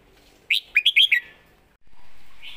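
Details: Red-whiskered bulbul singing a 'master song' phrase: five quick, bright whistled notes that swoop up and down, delivered in under a second, then quiet with a faint steady hiss.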